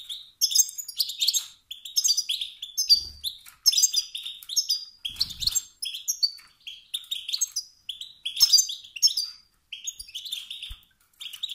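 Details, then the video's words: Male European goldfinch giving motivating twittering calls that stir rival males to sing and compete: bursts of bright, tinkling, buzzy notes in quick clusters, separated by short pauses, with faint low thumps. "ستستات و بتبتات ذكر الحسون الخلوي التي توقد النار في الذكور الاخرى"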